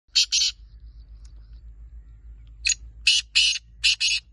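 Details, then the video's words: Black francolin (kala teetar) calling: two harsh, grating notes open, then after a quiet gap a rasping series of five loud notes in quick pairs. "Teetar voice kala teetar"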